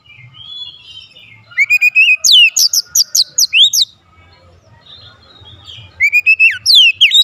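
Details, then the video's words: White-rumped shama singing as a lure to trigger song in other shamas: soft whistled phrases lead into a loud rapid run of ringing, down-slurred notes, a brief lull, then another strong burst. "PANCINGAN KACER ANTI BISU mancing Kacer lain cepat emosi dan gacor"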